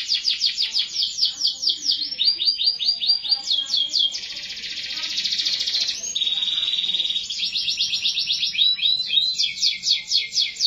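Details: Canary song as one continuous run of tours: fast descending trill notes, a dense buzzy roll, then a steady pure whistled tone before rapid chirping trills resume.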